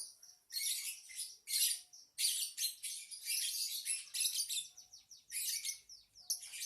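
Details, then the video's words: Lovebird song: dense bursts of shrill, squeaky chirps in fast runs, broken by short pauses roughly once a second. "Kicau Lovebird | Ocehan burung Lovebird"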